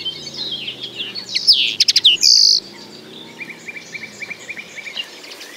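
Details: Common linnet song: a burst of high twittering notes, rapid clicks and a sustained buzzy trill mid-clip, followed by softer, evenly spaced chirps around two kilohertz-range whistles fading out; faint background hum.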